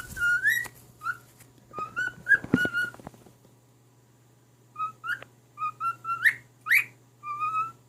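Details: Pet cockatiel, a male, whistling a tune to his mate indoors: clear tonal whistles, some sliding upward, in two bursts separated by a quiet gap of about a second and a half, with a low steady hum underneath.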